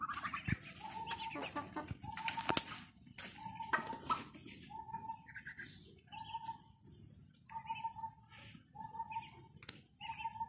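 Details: Ducklings calling with short, steady mid-pitched notes repeated about once a second in a regular series, some doubled, alongside sharp hissy high bursts and a few louder splashy or flapping sounds early on.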